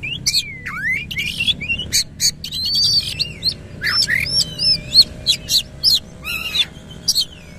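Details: Oriental magpie-robin singing strongly with rough fill-in phrases and fanned tail: looping and dipping whistles interleaved with loud raspy bursts, phrases spaced at about half-second intervals over a faint steady hum.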